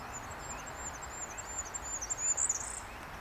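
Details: A goldcrest sings in Brussels, Belgium, in March 2012, a thin, very high-pitched run of rapid repeated notes ending in a quick twittering flourish, over a soft background hiss.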